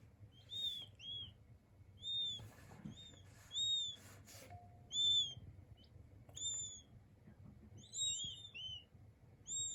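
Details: King quail chicks peeping softly: thin high whistled notes, some sliding down, in small clusters every second or so, over a low room rumble and faint background noise.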